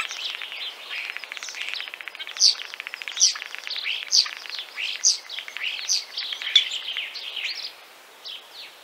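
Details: Song of a Common Starling from Central Russia, mixing rapid clicking rattles with squeaky whistled notes and bright upward chirps, then fading to a few soft notes at the close.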